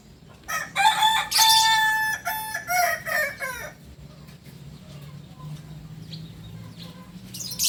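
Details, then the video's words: Kukuak Balenggek chicken, a singing breed native to Solok in West Sumatra, delivers a rolling multi-part crow: a strong opening note followed by rapid pulsed, stepped syllables for about three seconds, then quiet background hum. "Ayam kukuak balenggek ayam asli solok sumbar"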